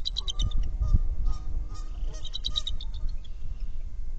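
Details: Nest-camera recording of a bald eagle from a trio of adults sharing a nest, uttering short, high, squealing notes in quick clusters at the start and again near the middle, with wind buffeting throughout.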